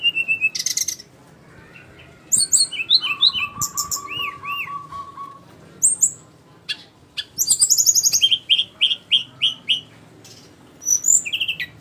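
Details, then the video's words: Flycatcher singing a long, varied sequence of high chirps, upslurred notes, a rapid low trill, and quick repeated notes, in bursts separated by short silences. "burung sikatan rimba"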